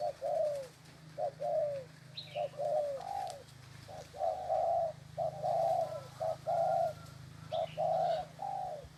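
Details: Leg-chained spotted dove cooing intensely, a steady run of low mellow coo phrases, each a short note followed by a longer drawn-out coo, with a few faint high chirps from another bird and a steady low hum.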